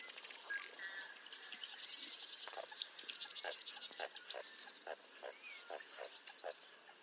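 An American coot gives short, blunt clucking notes, several each second in an uneven run, over a busy chorus of high, twittering songbirds.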